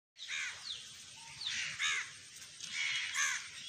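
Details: Talking common hill myna playing in a garden: loud ringing harmonic notes that slide downward, given in short bursts about every second and a half, against a steady background hiss.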